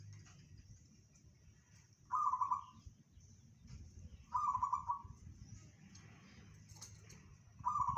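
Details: Perkutut, a local zebra dove, delivering 'bedah karang' style song: three brief trilled coo bursts spaced roughly two seconds apart, each a quick rolling series of soft notes, with constant low background rumble.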